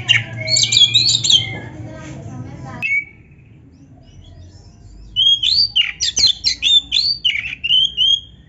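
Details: Oriental magpie-robin (kacer) in vigorous song, played to stir lazy kacer into answering; dense tumbling whistles, a pause, then evenly spaced rising whistled notes repeated about twice a second.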